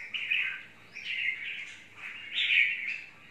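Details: Red-whiskered bulbul (chào mào mộc) song: three bright, slurred phrases that swell and fade. The last one is the loudest and the highest. A steady faint hum sits underneath.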